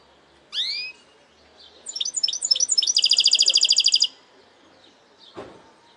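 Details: Goldfinch hybrid singing a segmented song: one sharp upward-swept whistle, a short pause, then a run of quick buzzy notes that speeds into a dense, even, high trill about a second long, followed by a faint low thump.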